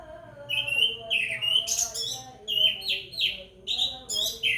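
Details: Orange-headed thrush singing vigorously whenever it hears the call to prayer or Quran recitation, giving rapid, repeated clear whistles and sweeping high notes nearly every half second, with a soft chanting voice underneath.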